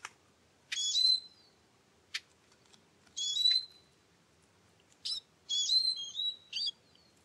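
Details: Eurasian siskin (Carduelis spinus) giving high, thin calls, each a bright burst dropping into a clear whistled tail, in small clusters a few seconds apart against a quiet background.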